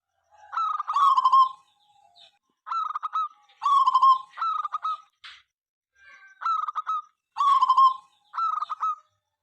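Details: Local zebra dove singing noisily through the day and night, a song said to make competitors answer. Repeated phrases of quick stammering notes and rolling coos, grouped in pairs, separated by brief silences.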